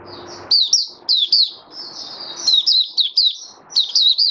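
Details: Caged oriental white-eye singing openly, January 2022, five days after deworming: clusters of high, sharp, downslurred chirps and sweet trills in quick succession, with faint background noise between phrases.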